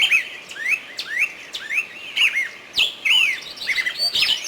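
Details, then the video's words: At Artuch a nightingale sings a string of slurred whistles, each note bending upward then down, about one per second, with sharp clicks and a closing burst of higher, twisting notes. "Садои булбул"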